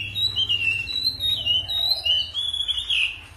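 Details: White-rumped shama singing in forest style: a long, high, thin wavering whistle held almost unbroken, rising and dipping slightly, with a soft low hum in the background.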